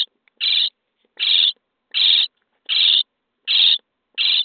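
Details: Starling chicks calling in a nest box as they are fed, day 23: loud, raspy, noisy shrieks evenly spaced roughly every 0.8 seconds, six in a row, with silence between.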